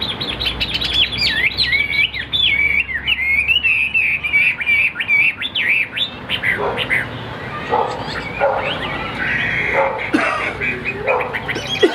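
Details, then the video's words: Caged Chinese hwamei of the tam hoàng type, praised as a good singer, pouring out rich, rapid whistled phrases that swoop up and down; later seconds turn harsher and broken, with some background noise. "Tam hoàng chim đẹp trên từng milimet, hót tốt bộ siêu đẹp"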